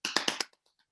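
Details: Short-eared Owl wing-clapping display: a quick burst of four sharp, dry snaps within half a second, then a few faint ticks and quiet.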